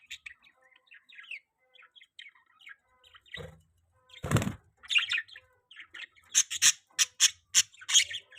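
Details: Budgie chirping in a soft chattering run, broken by a low rustling bump, then a string of louder, sharp, evenly spaced chirps.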